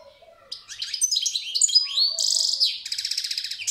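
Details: European goldfinch in full song: jangling twitters and rising whistles, then two buzzy, pulsing trills in quick succession, loud and close.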